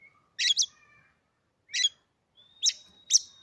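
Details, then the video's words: Oriental magpie-robin, a recently bought cage bird, utters four harsh rasping double notes, spaced irregularly, with thin level whistles trailing after them. "hanya hitungan detik kacer kamu pasti langsung gacor"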